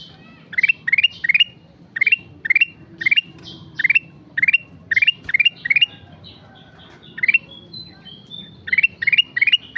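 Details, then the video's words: Sooty-headed bulbul in full, active song: a long run of rapid rising four-note phrases about every half second, pausing briefly for scattered high whistles before resuming. "Burung kutilang emas gacor"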